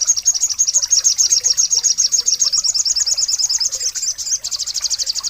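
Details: Sogon bird from Pangandaran giving a long, very high, rapid trill of thin chirping notes, almost continuous, with a slight quickening near the end.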